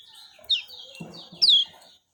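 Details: Lemon-bellied white-eye giving two bright, high chirps, each sliding downward, spaced about a second apart. A faint low rustle sits between them.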